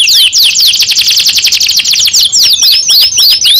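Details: Young canary delivering a fast rattling trill that shifts into slower, looping, rising and falling whistles near the end.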